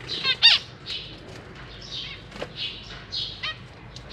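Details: Zebra finches kept in a cage, young birds fed by parents: one loud harsh squawky call near the start, then scattered softer buzzy chirps and light fluttering.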